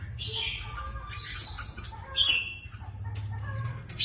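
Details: Captive red-whiskered bulbuls kept for singing contests give short, scratchy whistled phrases and a sharp rising note over a steady low mechanical hum and light background noise.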